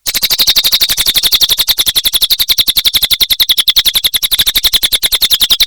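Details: Continuous cililin song: a loud, unbroken trill of high, buzzy pulses about ten per second lasting the whole six seconds, steady in pitch.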